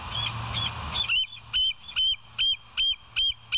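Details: Bald eagle calling at the West End nest, recorded by a live nature cam on 29 August 2023 at 07:03; after a second of background hum, a run of high, sharp piping notes repeats about every half second.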